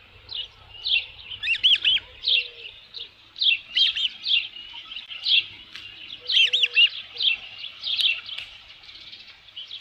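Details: Midday nest recording of an osprey with a headless fish at Dunrovin Ranch, 27 June 2018: piercing high chirps repeated roughly twice a second, some rising into squeals, over faint low background tones.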